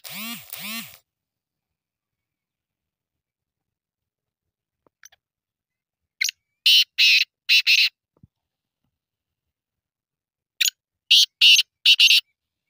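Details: Black francolin repeating its grating, rhythmic phrase of harsh buzzy notes twice, about four seconds apart, preceded by two short wavering tonal cries of another sound at the start and a long silent stretch.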